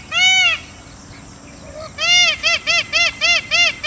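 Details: Loud peacock cries: one long arched wail, a pause, then a quick string of six or seven short bowed nasal notes at a steady, brisk pace.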